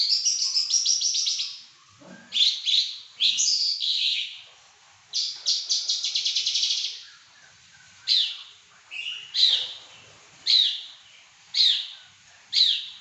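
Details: Pekin robin singing very actively: dense bursts of fast, bright warbled notes high in pitch, a long run at the start, then shorter phrases repeated about every second toward the end; no other sounds stand out.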